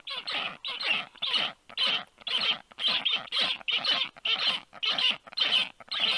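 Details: Black stork young at the nest, 1:30 p.m. on 4 July 2022, begging briefly when a strange adult black stork landed above the nest: harsh, raspy calls in rapid bursts, roughly two per second.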